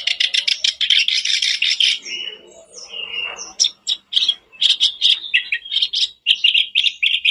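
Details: Bait recording of a kerak basi singing to spur a caged bird to sing. Dense grating chatter opens, a few sliding whistles follow, then clipped harsh notes repeated in quick, uneven bursts.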